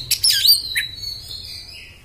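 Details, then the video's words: Oriental magpie-robin giving a brief phrase: a few sharp chirps and a quick slurred note, then a long thin high whistle held steady and slowly fading. "kacer beset beset kasar bikin emosih"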